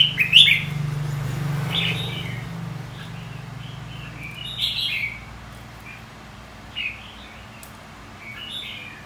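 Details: White-cheeked red-whiskered bulbul singing in contest style for training: short chirpy warbled bursts scattered irregularly across the clip, a low droning hum under the opening seconds.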